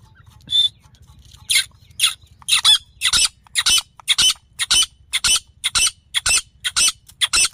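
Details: Female grey francolin call used for hunting, from Layyah, Punjab, Pakistan: a brief tonal note, then loud, harsh, rasping notes repeated about twice a second over a low steady hum.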